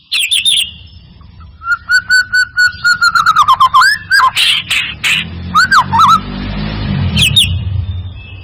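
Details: White-rumped shama song used as a lure to get a reluctant shama to sing: sharp high sweeping notes, then a fast run of about a dozen even whistled notes, then rising slurred whistles, over a low steady rumble.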